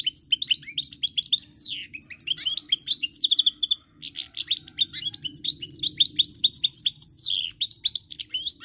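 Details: Recorded 10 November 2019, a European goldfinch delivers a long, bubbling song of rapid tinkling and buzzy slurred notes with two short breaks, over a faint low hum.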